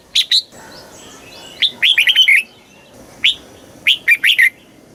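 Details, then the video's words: Caged red-whiskered bulbul from Thailand in the southern master song style, played to excite birds and teach young birds: short bright whistled phrases of three to five quick notes, each phrase ending in a falling slur, separated by pauses. "เสียงนกกรงหัวจุก สำหรับต่อ หรือ เปิดให้นกคึก เสียงเพราะๆ"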